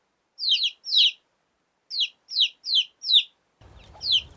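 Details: Baby chicks of a domestic hen giving clear, separate high peeps, each a quick downward slur, often paired, with short silent gaps between and a low rumble near the end.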